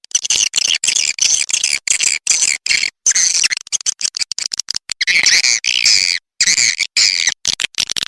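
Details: Swiftlets heard on a lure track meant to attract them: steady high-pitched, rasping chatter broken into rapid bursts, with brighter warbled chirps in the second half.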